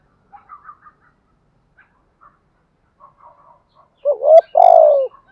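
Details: Spotted dove giving a gù thúc (urging coo) in a southern Vietnamese style, used to stir captive doves: faint scattered chirps, then near the end a loud two-part coo, a short rising note and a long hoarse falling note.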